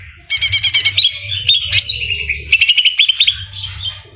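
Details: Greater green leafbird (cucak ijo) in full gacor song, 'full isian' style filled with kapas tembak and cililin phrases: rapid bursts of high chirped notes, a sweeping whistle, then quick repeated notes, over a low steady hum.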